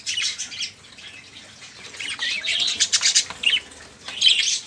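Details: Noisy, busy budgerigar chatter meant to coax caged songbirds into singing; dense high scratchy warbling with sharp chirps, a louder burst at the start and another near the end.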